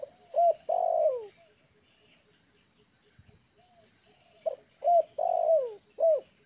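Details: Trained spotted dove used as a lure bird, settled on the ground in a yard, gives two bursts of soft mellow cooing: short notes around a long, drawn-out falling coo, with a quiet gap of about three seconds between bursts.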